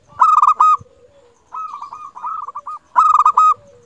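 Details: A local zebra dove, used as a master bird to prompt other doves to answer, sings bubbly, staccato cooing phrases that roll together, repeated about every one and a half seconds at a steady mid pitch.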